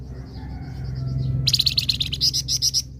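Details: Flamboyan in lively song, used to draw in other birds. Faint high warbles are followed by a loud run of quick, sharp, repeated chattering notes lasting over a second over a low background drone.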